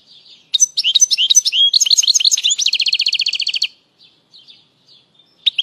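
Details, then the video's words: A European goldfinch sings a bright, tinkling twitter of varied high notes, used to excite birds and tutor goldfinch chicks, then runs into a fast trill of repeated notes for about two seconds before falling quiet. "تغريد اسطوري لطائر الحسون"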